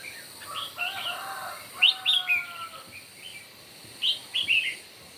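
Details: Red-whiskered bulbul singing in a morning contest, loud chirpy whistled notes in bursts of two or three, with softer overlapping bird calls and faint steady tones in the background.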